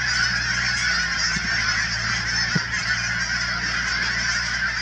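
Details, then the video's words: Canada geese by the thousands at the Cheam Wetlands near Chilliwack, British Columbia, producing an unbroken din of overlapping nasal honks. A brief thump is heard midway, and a low steady hum continues throughout. "Canada Geese at Cheam Wetlands"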